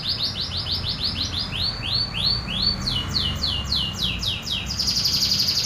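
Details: Local canary singing its natural song without learned imitations, used as a master recording for tutoring young or stressed canaries: fast rolled trills of repeated downward-sweeping notes, about five per second, shifting to higher faster series, over low steady hum.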